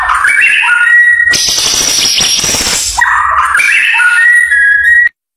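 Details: White-rumped shama performing before competition judges: ringing whistled phrases ending in a steady high note, broken by a harsh, noisy rasping burst lasting over a second, then the whistled phrase pattern returns before cutting off.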